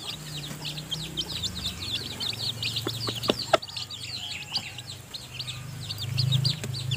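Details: Domestic hen with newly hatched chicks in her nest at feeding time. Continuous high chick peeping over a low steady hum, with a cluster of sharp clicks midway.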